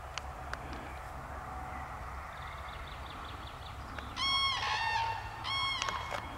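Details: Common crane (Grus grus) giving two loud, rolling trumpet calls about a second apart, each half a second long, over a low rumble and faint distant bird notes.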